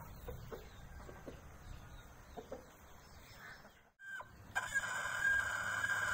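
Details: In the morning, Aseel chickens give soft, scattered clucks around mating, then after a brief break a loud, strained Aseel rooster crow rises in the last seconds over a steady background hiss.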